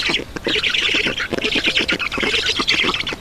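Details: Black storks at the nest in Estonia on 7 June 2019 at 11:03, as an adult brings water. Dense, hoarse squawking with rapid pulsing fills the clip, broken by brief gaps.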